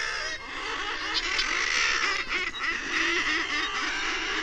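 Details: Thick-billed murre, also called Brünnich's guillemot, calling amid a dense, continuous colony chorus of overlapping harsh, growling voices, with no clear gaps between callers.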